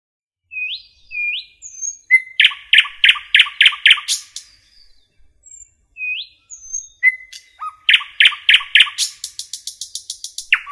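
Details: Common nightingale singing in a forest: thin rising whistles and sharp pure notes lead into fast bursts of loud repeated chook-like notes, rapid rattling trills and high buzzy series, phrases separated by short pauses.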